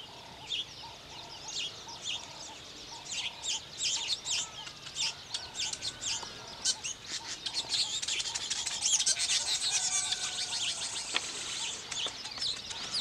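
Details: Weaver birds building nests: a dense, busy chatter of short high chirps and buzzy notes from several birds, growing louder and more crowded after about eight seconds, with faint repeated lower ticks underneath.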